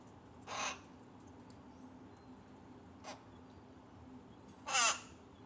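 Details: Tame rook chick begging from its mother during feeding: a rough caw, a short faint rasp, then a louder, more strident grating call near the end, with low steady background hiss.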